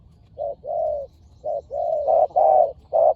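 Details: Spotted doves in a Thai decoy-trapping contest; two birds overlap, one giving softer drawn-out coos and the other louder, brighter paired notes.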